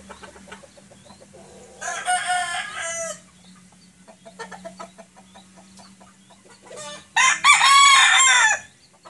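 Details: White Sweater rooster without a comb crowing: two loud, harmonic, wavering crows about a second and a half long, the second louder, with softer clucks and faint background noise between them.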